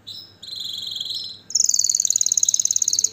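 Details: Short canary phrase: two drawn-out high tones followed by a quick, ringing trill of sharp repeated notes.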